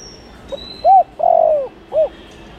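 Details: Spotted dove calling to draw in wild doves; a single phrase of a faint note, a rounded coo, a long falling coo and a short final coo, with a thin high whistle at the start.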